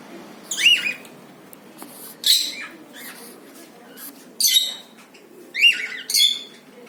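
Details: White and yellow cockatiels calling with sharp, high chirps and harsh squawks, in irregular bursts about a second apart, over a constant background hiss.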